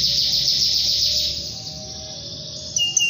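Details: Canary in long, continuous song to call a rival: a dense, high buzzing trill that holds steady for about a second and a half, then fades and softens, with a brief sharp chirp near the end.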